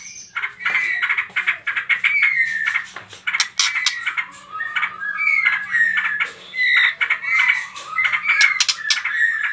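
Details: White-rumped shama in trotol song style, used as a lure to provoke other birds to sing: dense bursts of whistled and harsh chattering notes, sharp clicks and rapid trills, with a faint steady low hum underneath.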